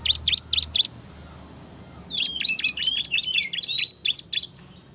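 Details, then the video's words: Bar-winged prinia in 'gacor ngebren' song: quick high chirped notes repeated about four per second, a short burst, a pause, then a longer run of rapid chirps mixed with brief whistled slides. "kicau burung ciblek gacor ngebren"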